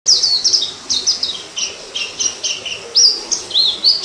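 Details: Wild orange-headed thrush recorded in 2018: high, sweet whistled phrases, some sliding down and some flicking up, given in a steady varied stream over faint hiss.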